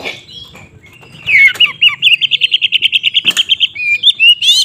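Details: White-rumped shama song used to provoke other shamas into fighting: a run of about fifteen quick repeated chirps near the middle, with sliding whistles before and after and a loud click at one point.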